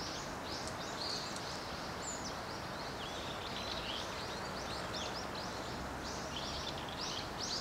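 Bramblings give a steady stream of short, high chirps and chattering notes from many birds at once, over a constant background hiss.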